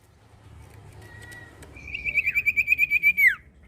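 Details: Indonesian common iora: a thin, steady whistled note, then a quick run of around twelve bright pulsed notes on one pitch ending in a falling slur; quiet background hum.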